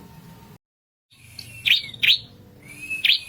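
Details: Red-headed prinia, sung to provoke rival birds: after a brief silence, a faint high tone leads into sharp buzzy chirps, three in quick succession, rising into a thin whistle.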